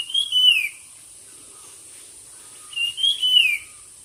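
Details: Competition song from a bird. Two matching whistled phrases about two and a half seconds apart, each a bright slur ending in a downward sweep, over a constant thin high whine.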